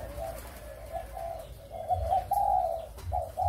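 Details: Breeding spotted doves of Malaysian and Thai lines, recorded 23 August 2021: soft, hollow coos run in linked phrases, with a louder, longer note toward the end and a low background hum.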